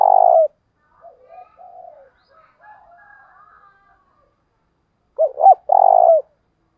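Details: Decoy spotted dove calling in the thúc bổi style to attract wild doves. A long, steady purred coo opens the clip, softer quiet murmuring coos follow, then a full phrase of two short hoots and a drawn-out purr.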